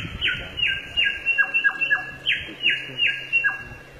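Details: In the forest, a samyong delivers clear whistled notes that drop sharply in pitch, given in irregular groups of two or three, over faint background hiss.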